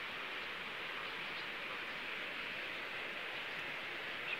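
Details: An even, hissing outdoor rush, like wind or running water, continues throughout, and no animal voice stands out.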